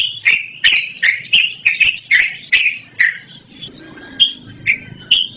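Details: Yellow-vented bulbul in full rolling song, used as a lure or tutor: a steady rapid series of harsh, bubbly notes, then softer scattered twitters and a faint whistle.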